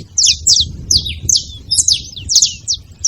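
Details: Saffron finches together, making noise with clipped high chirps, often in quick doubled pairs, roughly two groups a second, over a murmuring low background.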